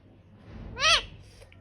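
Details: An angry Indian ringneck (rose-ringed parakeet) gives one short, harsh, arched squawk that rises and falls, a little like a meow, over a quiet, faintly rumbling background.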